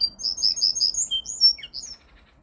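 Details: Linnet × Canary hybrid mule singing: a fast run of bright, high twittering notes in quick succession, then a few sharper whistled and buzzy notes, ending in a brief drop before quiet.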